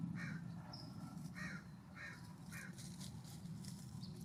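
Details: On a warm September morning at a ground feeder, a California scrub-jay repeats short, rasping calls about every half second to second, over a steady low hum.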